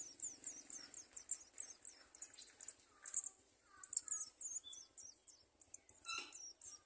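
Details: Garden sunbird chick begging as its mother brings food: rapid series of thin, very high chirps, about seven a second, in bursts with short pauses, plus a few lower twittering notes and a soft low hum early on.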